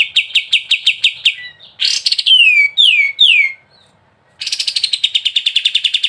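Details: A sooty-headed bulbul (kapas tembak) in ngebren song gives a short rapid run, then several clear downslurred whistles, then a long fast chattering series.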